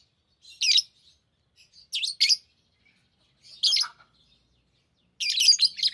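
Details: Lovebirds kept as pets giving sparse sharp chirps and squeaks about every second and a half, ending in a louder harsh chattering burst.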